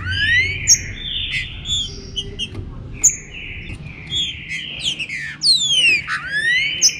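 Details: Green-winged saltator in a chuva com boi style warm-up: a rising whistle opens, then sustained flat tones and sharp chirps, ending in a burst of rapid falling slurs and a rising whistled note.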